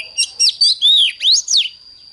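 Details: Oriental magpie-robin singing in the morning in an intense style: a few chirps lead into long, sweet slurred whistles, one falling and one sharply rising then falling, ending in a brief warble.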